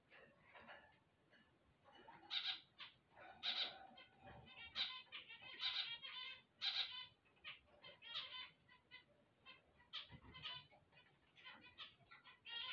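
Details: Several zebra finches singing on waking: busy, irregular bursts of nasal honks and buzzy rattling notes, close to one a second, overlapping into a chattering chorus.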